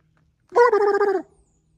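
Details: A wild turkey in the Smokies, heard from a gentle hiking trail, gobbles once: a rapid, rattling burst of about ten throaty pulses lasting under a second, dropping slightly in pitch, against an otherwise quiet background.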